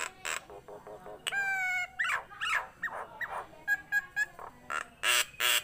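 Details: Tame, chatty captive Nias hill myna giving a varied string of loud notes. A rising harmonic whistle comes first, then nasal downslurred calls and short harsh bursts, with a few clear sustained whistles near the end.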